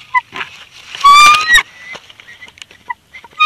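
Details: A bald eagle pair at the Big Bear Valley nest, 26 February 2021, swapping incubation duty on a second clutch. Soft high chips are followed by a loud, rising, squealing cry, then scattered faint peeps and rustling.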